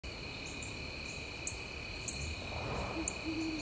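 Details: A great horned owl at Mt Nittany at sunset gives low, soft hoots near the end, over a steady high insect drone and a few thin bird chirps.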